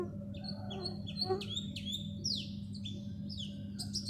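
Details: Black sparrow gives quick bright chirps and short downslurred notes, several per second, over a steady low hum.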